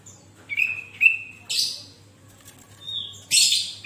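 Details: Sooty-headed bulbul singing lustily to stir other bulbuls into song: two flat whistled notes, a buzzy burst, a soft rising whistle, then a final harsh burst, over a low hum.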